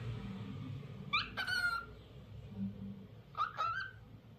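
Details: A lutino cockatiel gives two short whistled phrases about two seconds apart, each a quick rising note slurring into a held whistle, over a low background hum.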